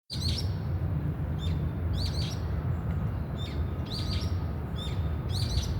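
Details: Brown-eared bulbul giving short, sharp chirps with quick upward-then-downward inflection, in clusters roughly every second, over a steady low rumble of background noise.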